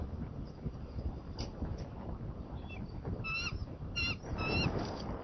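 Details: Bald eagles at a nest in Sidney on April 26, the mother bringing greenery and feeding the eaglet. Several squeaky, clipped, harmonic-rich notes come in short bursts partway through, over rumbling wind-like background noise.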